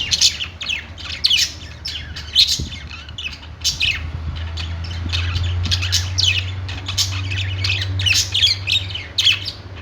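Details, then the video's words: Pet-store budgerigars singing on a perch: constant high, chattering chirps from many birds, with a steady low droning hum growing louder through the middle. "budgies singing on perch | parakeet chirping sounds in pet store"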